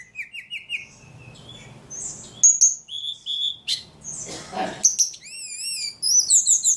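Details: Ledekan with a very active song: a run of rising chirps, flat whistled tones, sharp clicks, then rapid wavy warbling notes near the end.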